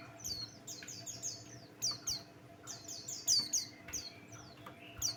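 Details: Buxtoni white-eye singing as a lure for other songbirds: dense runs of very high, downward-sweeping twitters, some phrases loud and bright, irregularly spaced, with a soft hum in the background.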